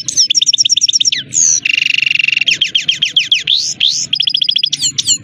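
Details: Himalayan goldfinch in full song: rapid series of repeated high chirps, a harsh buzzy trill, rising sweeps and quick twittering phrases delivered almost without pause.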